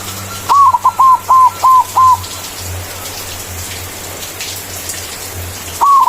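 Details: White zebra dove in full 'manggung' song, said to call rivals and to lure doves for trapping: a rapid series of six short, arched, mid-pitched cooing notes, then a pause before another note begins, over steady background hiss.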